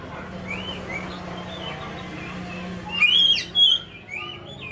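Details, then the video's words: An Oriental magpie-robin (kacer), recorded as a lure track for kacer birds, sings short clear whistles and slurred upward and downward notes, ending in a loud bright burst, over a low steady hum. "pancingan kacer"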